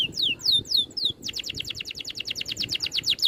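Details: Oriental magpie-robin in dense 'ngerol' rolling song with neat 'tembakan' shots: a few loud falling whistles, then a rapid, even run of short high downslurred notes repeated about four per second.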